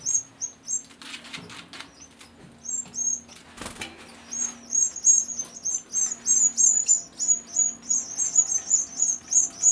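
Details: Canary chicks 15 days old, being fed, the oldest sitting on the nest rim trying its wings, give rapid, high, thin squeaky begging notes, several per second, building into a steady chattering stream with soft wing flutters.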